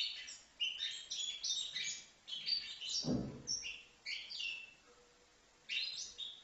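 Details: Young goldfinch, five months old, from Livno, singing bursts of quick tinkling twitters and trills, with a low dull knock around the third second and a quiet pause before the last phrase.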